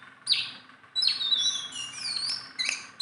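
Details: Hand-tame Sunda bulbul giving a few separate phrases: a short sharp chirp, then a longer high whistle that dips and rises, and a final quick note.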